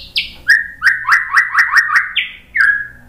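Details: White-rumped shama singing, used as a lure to provoke other birds into song. It gives a series of loud, slightly descending whistled notes, about eight repeated rhythmically every quarter second, with a higher opening note and a separate closing phrase.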